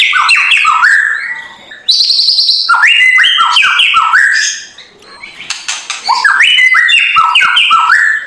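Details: White-rumped shama in a morning track meant to provoke a lazy bird into singing: loud, busy song of rapid whistled notes and harsh rattling chatter, with slurred phrases jumping up and down and barely a pause.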